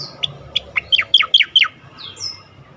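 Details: Asian pied starling (cucak koreng) delivering loud, continuous ngerol and nembak song: about eight sharp, down-slurred notes in quick succession, then two smooth gliding whistles.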